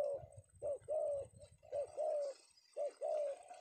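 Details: Male spotted dove of the penguku type, trapped in Indonesia in the afternoon, giving three short-then-long coo phrases in rapid sequence over low rumbling handling noise.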